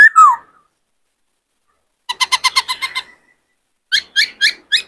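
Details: White-cheeked laughingthrush, a caged male in breeding condition, gives a short slurred whistle. After a silence come rapid bursts of harsh, clipped notes, then a shorter group of four similar notes.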